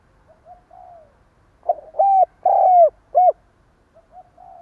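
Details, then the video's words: Decoy spotted dove giving the stuttering 'cà lăm' coo: soft low coos, then a loud three-note phrase of a short stammered lead-in, two long hollow coos and a clipped final coo, before quieter cooing returns. "Tiếng chim cu gáy gù cà lăm gáy thúc gù kích bổi"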